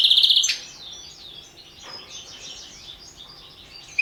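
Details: Goldfinch recorded for a goldfinch song world championship: a loud buzzy burst at the start, then softer high twittering and chirps.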